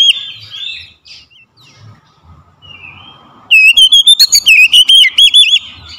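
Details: Oriental magpie-robin used as a lure to make sluggish birds sing: soft, scattered whistles for three seconds, then a loud, rapid run of warbled whistled notes to the end.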